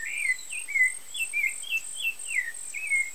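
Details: Rufous-bellied thrush (Sabiá-laranjeira) chicks at the nest in Brazil while parents feed them: a run of short, down-slurred high chirps repeated roughly every third of a second, over a steady high insect-like hiss.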